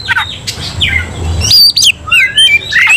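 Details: Kacer (Oriental magpie-robin) in aggressive fighting song with other kacer roused: a quiet, rustling first half, then bright whistled notes sliding up and down with a few sharp chips.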